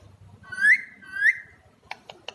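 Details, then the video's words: Pet Alexandrine parakeet, kept as a talking bird, producing two clear rising whistles about half a second apart, followed by a few short soft clicks. "Best talking Alexander Parrot"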